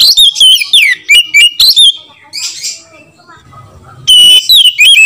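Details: White-rumped shama lure call to get other shamas singing: bursts of loud varied whistles and chips, a lull with soft scratchy notes and low hum, then loud whistling again.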